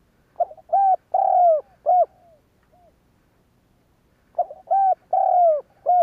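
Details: Spotted dove kept as a lure to set other doves cooing, repeating its phrase twice: a short note, a level coo, a long falling coo and a clipped arched note, with a quiet gap between phrases.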